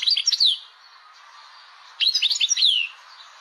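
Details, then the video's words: European goldfinch from Algeria, caged, in tebnija song with laglag: two short bursts of bright liquid twitters and downslurred whistles, separated by about a second and a half of soft hiss. "تبنيجة مقنين...باللاڨلاڨ لبنين"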